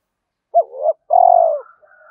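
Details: Spotted dove lure call for attracting other doves: one rising-falling coo followed by a long, tremulous, steadily descending coo, then quiet.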